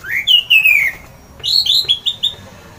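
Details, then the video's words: Orange-headed thrush giving a loud ngeplong song said to stir other birds into singing: a slurred whistle sliding down, a short pause, then a run of five bright rising whistled notes. "mendengar ngeplong keras anis merah ini"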